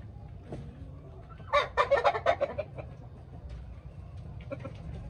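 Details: Hens inspecting their new coops give a sudden loud burst of harsh, rapid squawking clucks lasting just over a second, then a few softer scattered clucks over a low steady background rumble.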